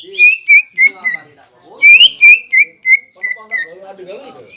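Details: Song of a green leafbird, used to provoke competing birds into singing. A series of loud whistled notes falling gradually in pitch, with quieter twittering between them and a soft warble at the end.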